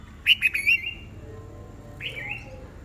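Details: Red-whiskered bulbuls singing competitively in the morning: a quick burst of three or four bright, slurred whistles, then a lone rising-falling note a second later.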